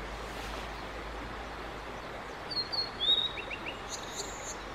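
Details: Male Blue-and-white flycatcher, 5 May 2022, singing for about fifteen minutes as photographers gathered: after quiet background hiss, a short burst of thin high whistles with a falling slur midway, then a few faint softer notes.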